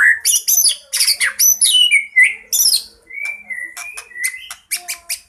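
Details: White-rumped shama in full fighting song with fills, used for luring birds: a rapid run of loud, high, varied whistles and buzzy notes, then steadier mid-pitched whistled phrases repeated in quick succession.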